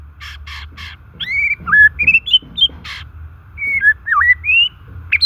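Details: A white-rumped shama in natural song, meant to rouse silent or stressed shamas: three harsh buzzy notes open, then varied rising and falling whistles, another rasp, and more looping fluted phrases.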